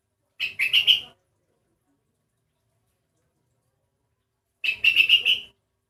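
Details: An odd-sounding sooty-headed bulbul, whose voice differs from the usual, repeats a brief whistled phrase of four or five pulsing notes twice, about four seconds apart, in an otherwise quiet setting.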